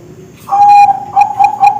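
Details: Young Bangkok zebra doves of contest quality, recorded as training audio for pet birds: a clear steady whistled note followed by a stuttering run of short pulsed coos.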